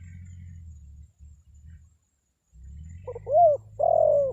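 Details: Spotted dove lure call meant to make wild birds answer. After a stretch of low rumbling noise, a short stuttered coo leads into two hollow, slightly falling coos near the end.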